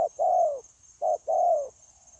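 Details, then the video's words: Spotted dove kept as a trapping decoy, 9 January 2024, giving two coo phrases, each a brief low hoot then a longer, slowly falling coo, against a faint steady high-pitched hiss. "Bổi Quá Chịu Gù | Nết gù liền lạc liên tục"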